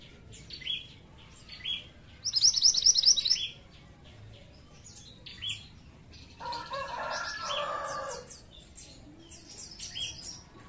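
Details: Pied triller song used as a lure for flocks of its kind: a loud, quick trill of about a dozen bright repeated notes lasting over a second, among scattered high chirps and a buzzy low-pitched burst of sound later.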